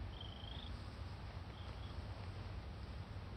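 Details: Red-crowned crane chick, Akan International Crane Center, 31 August 2020, gives a drawn-out thin whistle, then a shorter faint peep, against constant low-pitched background rumble.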